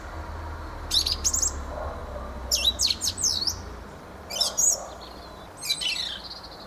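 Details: Fieldfare: bursts of chattering, squeaky song with jumbled high whistles and rasping notes, four phrases separated by short pauses.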